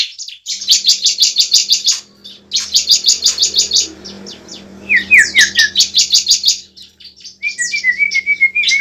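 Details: Bar-winged Prinia fighting song used as a lure, fast high metallic trilled bursts about two seconds long separated by short pauses, with thin descending whistles and a faint low hum.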